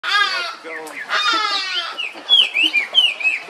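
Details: Captive Chinese hwamei (melodious laughingthrush) at San Diego Zoo Safari Park, California, singing sweet, loud, clear slurred whistles that rise and fall in quick phrases, after a burst of harsh, buzzy, voice-like sound.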